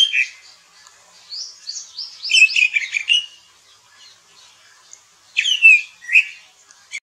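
American robin giving two bursts of quick, squeaky chirped phrases, high and warbling, separated by a few seconds of quiet.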